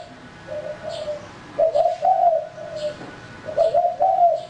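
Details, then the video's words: Male spotted dove used for luring, cooing in soft low phrases, a quieter opening coo then two louder rolling phrases, with faint high chirps of another bird above. "Burung Tekukur Pikat Jantan"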